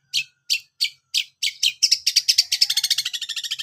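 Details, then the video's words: Long-tailed shrike song as tutor audio: evenly spaced harsh rasping notes about three per second, speeding into a fast buzzy chatter that ends in rapid stuttering trill. "masteran burung cendet"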